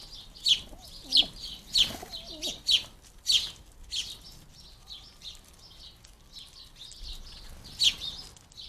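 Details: Fledgling house sparrows begging while being fed at a garden feeder: a run of loud, high, clipped chirps about once a second, then softer scattered chirping, with low wavering whistles audible early on.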